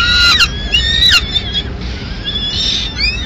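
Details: Peregrine falcon at a Madrid nest during a mid-morning meal as the female arrives with leftover pigeon; a few short, harmonic, down-slurred calls followed by a thinner drawn-out note.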